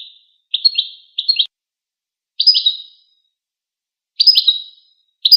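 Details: Rapid high chittering from a goldfinch, a call given during interactions or courtship, arriving in irregular clipped bursts of slurred notes with short silences between.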